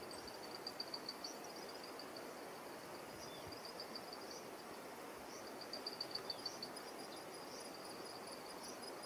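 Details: A juvenile Black-and-chestnut Eagle in Ecuador gives thin, high whistled notes in quick bursts of several, repeated every couple of seconds, over a steady rushing hiss.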